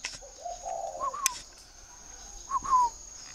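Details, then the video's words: Spotted dove at a keeper's garden in Ba Vì, Hanoi, Vietnam, giving a quieter low drawn coo and two clipped higher notes, partly masked by clicks, rustling and a constant high-pitched whine. "chim cu gáy hay"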